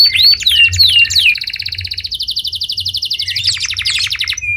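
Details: Canary song opening with looping whistled slurs, then a long, even, rattling trill of high notes repeated many times a second, closing with a brief chattering burst; faint low hum in the background.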